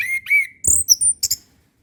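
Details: Short excerpt of orange-headed thrush song for training young birds: two drawn whistles followed by quick, very high squeaky notes and clicks.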